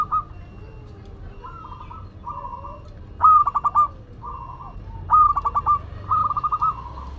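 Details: Zebra dove, local Madura type, singing freely: soft sustained coos followed by two strong stuttered phrases of rapid pulses, then a trailing softer coo, in quiet surroundings.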